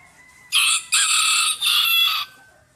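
A rooster gives a loud, harsh cock-a-doodle-doo in three strained bursts over about two seconds, ending with a drawn-out, slightly falling note.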